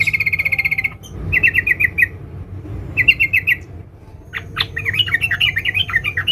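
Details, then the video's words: Female sooty-headed bulbul calling to a male: a fast buzzy trill, then two brief rattling bursts of chirps, a pause, and a warbling twittering phrase, over constant low background hum. "Suara Trucuk BETINA Memanggil Jantan NGERIWIK RAPAT"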